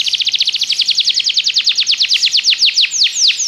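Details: Belgian canary song for training other canaries to sing: a fast rolling trill of bright descending notes that gradually slows into longer, wider sweeps.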